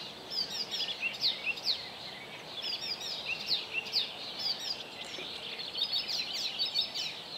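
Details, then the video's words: Icterine warbler song recorded 27 May 2017 at Zbiornik Joachimów Mogiły in Poland, a rambling stream of sharp high chirps, nasal squeaks and brief rattles delivered almost without pause over steady background noise. "Icterine Warbler / Zaganiacz"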